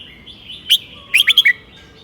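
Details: Red-whiskered bulbul, a golden-voiced teacher bird, singing a well-phrased southern 'mae bot tai' style song: a soft note, then a quick burst of four bright, bubbly whistled notes over a faint steady high hiss.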